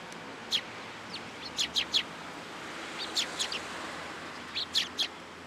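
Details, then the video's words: Morning sparrows come for food at a Tenmangu shrine, 27 September 2022. Short sharp chirps arrive in small clusters of two or three, separated by pauses, against a faint background hiss. "朝一番 餌を貰いに来る雀達"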